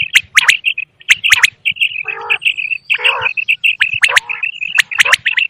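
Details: A wild common quail gives sharp, liquid three-note phrases about once a second over a steady high chirping, broken twice by short, harsh, grating bursts.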